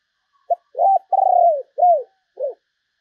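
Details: One phrase of a spotted dove kept as a lure for wild doves, low and mellow: a short note, a hooked coo, a vibrating drawn-out coo falling at the end, and two downcurved notes.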